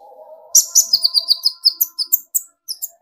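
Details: Olive-backed sunbird (kolibri ninja), a young speckled bird to full metallic plumage, singing to provoke other birds: a faint low steady tone opens, then rapid sharp high chirps and short trilled notes, about three per second.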